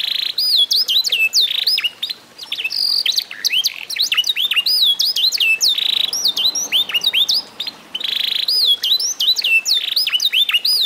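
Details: An eight-month-old F1 SF canary, after being mastered, sings a continuous, high, fast song of sweeping whistled notes, chirps and rapid rolling trills, barely pausing; no other sounds stand out.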